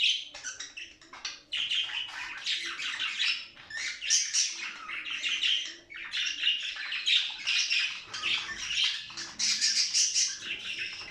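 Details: Budgerigars chattering steadily, used to stimulate breeding and play; a long run of scratchy warbles, squeaks and whistled notes from several overlapping birds.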